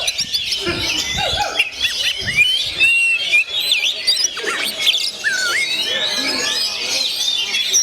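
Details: Oriental magpie-robin of the 'gondo mayit' type in its natural voice: a dense stream of high, twisting whistled notes, rapid slurs and chattering trills that overlap almost without pause, with a few lower scratchy notes early on.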